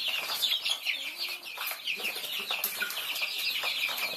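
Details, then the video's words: Thai chicks feeding, many chicks giving bright, high, downslurred peeps in a busy overlapping chorus, with clicking pecks throughout. "Me Nyuam Qaib Thaib Thai chicks"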